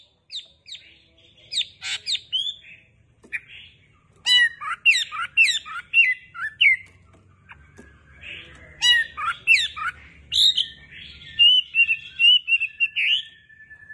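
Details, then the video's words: Wambi bird calling energetically, with harsh squawks and sharp chirps in bursts separated by short pauses, mixed with a few sweeter whistled notes near the end. "SUARA MERDU BURUNG WAMBI GACOR DOR"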